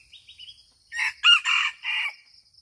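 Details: Wild-type red junglefowl, Aceh, delivering one brisk crow of four raspy bursts lasting about a second, after small rising chirps; a high insect whine runs throughout.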